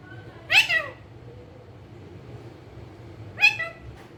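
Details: Pet rose-ringed parakeet, a green ringneck parrot said to be talking, makes two raspy, falling, two-syllable cries about three seconds apart, with quiet between them.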